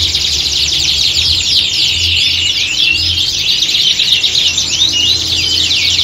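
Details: Canary squad in song, resembling a singing-competition atmosphere for training purposes; dense high twittering and trilled phrases overlap continuously, a few clear whistled notes, faint pulsing low hum.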